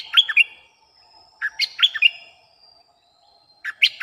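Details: Bulbul song played as a lure for wild birds: short bright chirpy phrases of quick up-and-down notes, repeated about every one and a half seconds, with a faint steady hum underneath.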